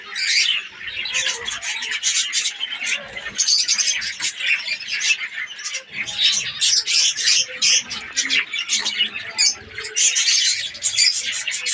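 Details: Aviary budgerigars (Australian parrots) breeding in a colony in Pakistan: loud, rapid chirps and squawks stacked over continuous twittering, in surging bursts across the whole stretch.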